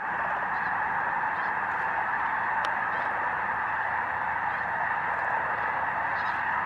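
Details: Thousands of snow geese at Bosque del Apache National Wildlife Refuge, December 2009, sunset or sunrise, blend into a steady, even roar of massed calling with only faint separate honks.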